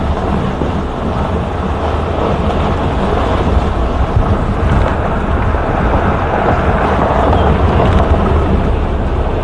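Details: Loud, steady downpour with rumbling thunder and wind buffeting, and no animal calls.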